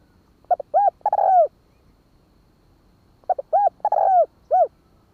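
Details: Spotted dove cooing in the style meant to stir a bird: two matching phrases about three seconds apart, each with quick clipped notes, an arched coo and a drawn, downward-sliding coo.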